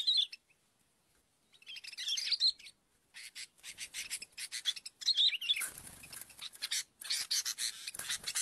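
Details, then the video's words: Sooty-headed bulbul calls used to lure birds: bursts of high, bright chirps and twittering notes, with short silent gaps and some scratchy broadband noise between phrases. "pikat BURUNG KUTILANG"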